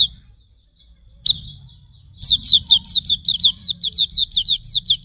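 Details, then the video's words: Pleci auriventer, Hume's white-eye, singing a master song for bird training. A single high note, then after a gap a rapid steady series of bright down-slurred chirps, roughly three per second, over a soft low rumble. "Masteran Suara Burung Pleci Auriventer ampuh 100%"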